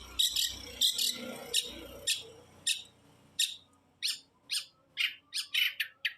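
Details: Long-tailed shrike producing harsh, raspy notes in an irregular series, first over low background noise, then clearer and quicker in the final seconds.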